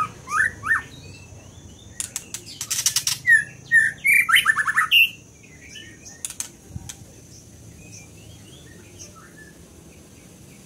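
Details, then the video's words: Scarlet minivet song with short whistled slurs, loud clicking bursts, and a rapid string of descending whistled notes. Faint, scattered chirps follow over a quiet background hum. "Lửa siêu hót"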